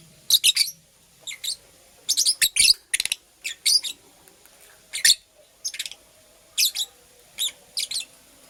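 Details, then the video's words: Purple lovebird, a female making a nest, gives short, sharp, high chirps in bursts of one to four, about a dozen bursts spread over the stretch with brief quiet gaps between them. "Purple Lovebird Chirping Sounds - Female Lovebird Makes a Nest"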